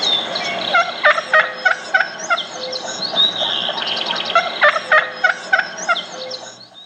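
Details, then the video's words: Wild turkey hen going to a gobbler, excited and giving a mating yelp: loud, fast rhythmic yelps, about eight in a run, a brief pause, then another run of similar yelps. "Well, let's listen to a real hen as she wakes up."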